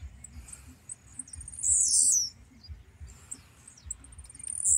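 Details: Blue-black grassquits released and singing in a duel in a sugarcane field full of grassquits. One gives a loud, very high, buzzy half-second burst, with fainter high chirps around it over a soft low rumble.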